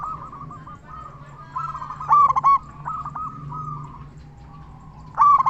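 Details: Local zebra dove with a big voice, a keen singer, used as a lure to set other zebra doves singing: soft rolling trilled cooing throughout, with two louder burst phrases near the middle and at the end, over a steady low hum.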